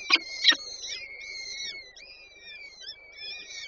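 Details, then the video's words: Female peregrine falcon feeding chicks at a nest in Warsaw Żerań, 8 May 2023: two sharp clicks open, followed by drawn-out, thin wavering whines from the young, rising and dipping in quick succession. "Warszawa Żerań - Nela karmi pisklęta 8 05 2023 sokoły wędrowne"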